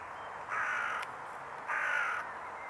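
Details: Swans at the pond Neuer Teich on 26 April 2017 at 20:11, 11 °C: two nasal, horn-like calls, each about half a second long and held at a steady pitch, separated by a pause over a constant background hiss.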